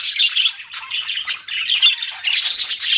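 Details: Budgerigars give rapid high chirps and warbled squeaks in quick succession, loud and clean with nothing else audible.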